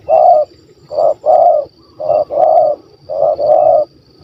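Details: Spotted dove with a large stammering voice, 'kuk 1 2' style, sought by hunters in Malaysia: deep rounded coos grouped as a brief note then a longer one, repeated about once a second, with a faint high-pitched drone in the background.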